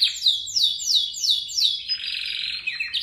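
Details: Canary song meant for training other birds: a run of five descending swept whistles about every third of a second, then a buzzy, dense trill.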